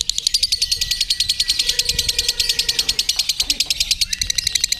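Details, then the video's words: Lovebird at a singing contest, hung on the pole with a shooting jockey, pours out ngekek, a continuous rapid trill of shrill high pulses held almost five seconds, with faint background voices. "SEMAKIN ENAK NGEKEK NYA LOVEBIRD"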